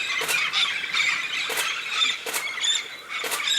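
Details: Noisy flock of red-spectacled parrots, a southern Brazilian species that migrates yearly to the Santa Catarina highlands to feed on araucaria seeds: steady shrill chatter with sharp, loud screeches roughly every second.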